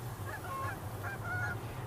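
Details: At least four Canada geese on 6 November 2021 give overlapping nasal honks, quick and uneven, over a steady low rumble of wind or distant traffic; the observer thinks the pattern means they are taking off.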